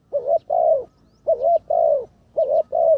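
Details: Spotted dove, a ground decoy in its third training session, repeats three paired coos, each pair a short hoot and a longer resonant one, about one second apart.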